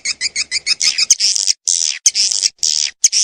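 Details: Swiftlet calling: a fast run of short, clipped twittering chirps that gives way to longer, raspy buzzing bursts separated by brief silences.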